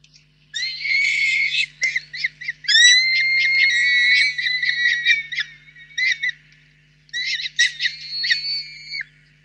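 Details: Young female peregrine falcons at a nest box in Reda, Poland, on 20 May 2023 give harsh, drawn-out screams in quick bursts, some held over a second, as the adult male gives up entering the box; faint electrical hum.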